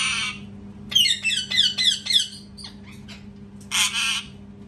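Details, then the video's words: Parrot screaming: a harsh opening squawk, then a quick run of short chattering and squeaky notes, then another long raspy scream, with a steady low hum behind. "PARROT SCREAMING TOO LOUD | PARROT SCREAMING SOUNDS"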